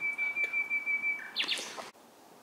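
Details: Bird singing in the night: a long, steady, pure whistled note held for over a second, then a burst of harsh, jumbled high notes before an abrupt stop.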